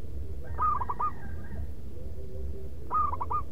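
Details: Zebra dove giving its loud, rhythmic perching song, used as a lure: two bursts of quick, bubbly cooing notes, each a short staccato run ending in a rolled coo, over steady low background rumble.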